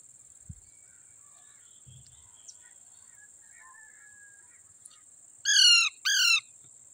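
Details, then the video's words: Quiet background with faint taps and a thin whistle, then two loud, harsh back-to-back screeches from Indian ringneck parrots, a baby among them, gathered on green grass. "Green grass Indian Ringneck parrots talking,together baby parrot"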